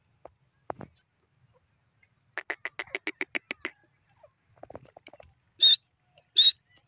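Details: Pair of grey francolins, known locally as teetar, calling: scattered soft clicks, then a quick train of about ten sharp, evenly spaced ticking pulses, followed by two loud, shrill, high whistled notes a second apart.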